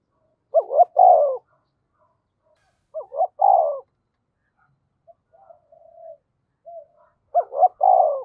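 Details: Spotted dove serving as a decoy, cooing in three evenly spaced phrases, each two quick rising notes then a rolling, slightly falling coo, with faint low soft notes in the gaps.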